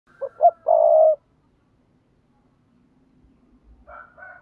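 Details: Spotted dove call used to stimulate other doves: one low phrase of two short notes and a longer buzzy coo, then quiet with faint low rumbling and a weaker partial phrase at the end.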